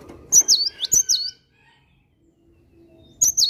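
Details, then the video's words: Vigorous morning singing from a cinereous tit. Bright, high two-part whistles come in a burst of three, followed by a short silence, then two more phrases of the same repeated pattern. "Kicauan Gelatik Batu Gacor Dipagi Hari"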